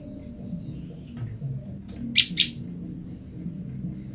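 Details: Female olive-backed tailorbird, kept apart from her male mate, calling to him: a quick pair of sharp, high chirps about a fifth of a second apart, over a low background hum.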